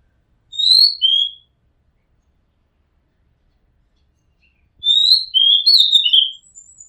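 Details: Oriental magpie-robin singing from near a rooftop where it was recorded: a short pair of whistled notes, a long pause of several seconds, then a richer phrase of sliding, warbled whistles with fainter high twitters.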